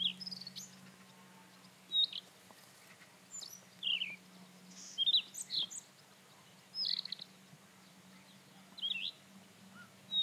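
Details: Rufous-tailed scrub robin song: short, high whistled and scratchy phrases given about every one to two seconds, each brief and slightly varied, over a steady low hum and quiet background.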